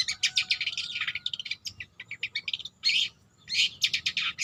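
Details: Long-tailed shrike, a young bird learning to sing, giving a jumbled stream of high scratchy chirps and short raspy bursts with brief pauses between phrases.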